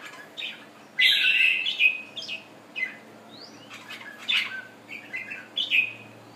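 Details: Recently moulted red-whiskered bulbul from Thailand giving a loud rich warbled phrase, then scattered shorter chirps and whistled notes, with faint wing flutters and clicks.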